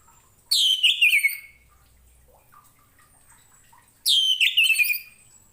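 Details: Orange-headed thrush song meant to tutor other pet songbirds: two loud, rich phrases about three and a half seconds apart, each a tumbling run of notes sliding down, separated by near silence.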